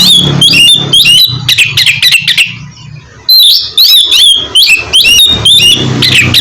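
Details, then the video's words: Oriental magpie-robin song played to stimulate a bird to sing: dense bursts of loud, varied whistles and sharp chirps, a brief lull, then another rapid run of ringing phrases over a low background hum. "terapi kusus untuk penggacoran burung kacer yg masih malas bunyi atau macet"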